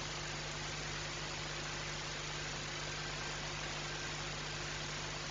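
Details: Continuous hiss and engine-like droning hum throughout, with no animal sound.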